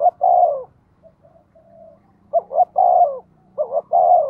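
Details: Decoy spotted dove pushing a quick cooing rhythm to draw in wild birds: three phrases of two brief upward notes and a sustained falling coo, with soft faint calls in the short pause.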